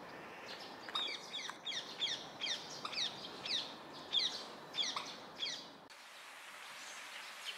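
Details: A juvenile common moorhen (Gallinula chloropus), bill not yet adult-coloured, at a wetland gives thin, high, upward-flicking peeps, about two a second for several seconds, over a steady background hiss.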